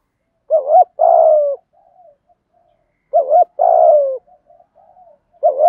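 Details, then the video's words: Spotted dove 'thúc gù' cooing in the 'thổ' voice, used to stir newly caught captive doves into cooing. A short double hoot is followed by a long, descending coo, plus faint murmured notes between phrases, repeated twice. "cu gáy giọng thổ THÚC GÙ giọng hay hạp bổi nhanh nổi nhất, tiếng gáy giúp bổi nhanh gáy và nổi lẹ"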